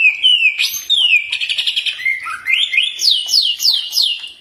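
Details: Common iora singing a varied phrase, intended as training playback to make birds respond: slurred whistles drop into a rapid chattering trill, then four quick rising whistled sweeps in a row; clean recording without background noise.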